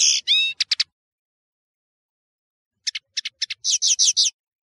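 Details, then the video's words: European serin, known locally as Nino in Algeria and Kamatcho in Morocco, song used as a tutoring recording for young birds: two brief bursts of high, fast jingling trills and ticks separated by about two seconds of silence. "تغريد طائر التفاحي"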